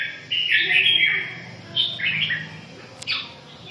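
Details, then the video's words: Red-whiskered bulbul song: a loud, rolling whistled phrase followed by two shorter slurred notes and a brief sharp click near the end. "Kênh về chim Chào mào"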